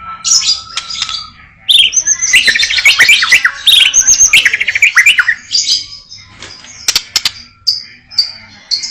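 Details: White-rumped shama (murai batu) singing a full 'isian' song packed with varied material: rich whistled phrases, fast rising and falling trills and sharp high notes that change every second or so, with brief pauses between bursts.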